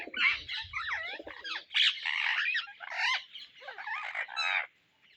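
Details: Indian ringneck parrots searching for seeds: harsh, squawky chattering calls with rising and falling bent notes, overlapping in dense bursts almost without pause for about four and a half seconds, then fading out.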